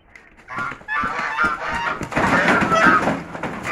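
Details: Chinese geese fighting: dense, overlapping harsh honks and squawks blend into a continuous noisy din, with a human voice heard near the end.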